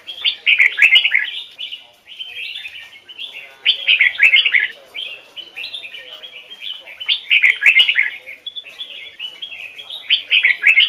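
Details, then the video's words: Song-trained red-whiskered bulbul from Vietnam in a standard Hoài Sơn forest double-note voice, repeating loud warbled phrases roughly every two seconds, each a quick tumble of rich, falling notes with softer chatter between. "Chào mào hót giọng chuẩn, âm kép rừng Hoài Sơn"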